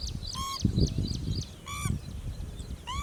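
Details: Pheasant-tailed jacana foraging for food in a lake: three nasal, harmonic, slightly upslurred notes spaced a second or more apart, with faint high chirps in the background and a low rumbling noise underneath.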